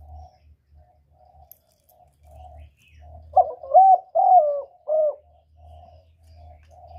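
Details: Spotted dove, 'một hậu ròng' cooing: one loud phrase of rough stuttered notes, a long falling coo and a short end note stands out over a faint distant dove cooing and a low rumbling hum.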